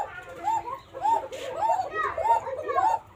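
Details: Native Banshiraj Koka domestic pigeons in Elamdohi, Tanore, Rajshahi, praised for a thin, flute-like voice. Several overlapping arched coos rise and fall, roughly twice a second, over a busy background murmur.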